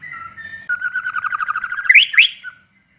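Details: White-rumped shama singing to provoke other shamas: a soft opening whistle, then a rapid rattling trill of repeated notes climbing into sharp upward-swept whistles.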